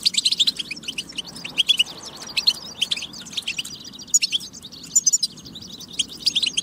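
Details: European goldfinch song meant to prompt goldfinches into singing: lively stream of high twitters, liquid chirps and brief trills in quick succession, with pulsed groups of notes and a faint low background rumble.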